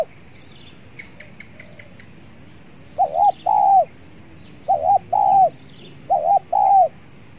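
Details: Spotted Dove in an afternoon durian orchard, with a caged decoy set out and an aggressive wild dove nearby: low, mellow coos in three phrases, each a short double note then a longer drawn coo, about every 1.5 s; faint high chirps behind.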